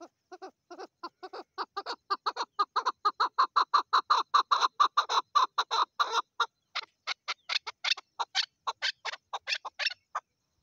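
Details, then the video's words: A female chukar calls in an extended, building rattle of chuck notes that grow louder and faster, then break into higher, more spaced, strident calls near the end. "Female Chukar Calling"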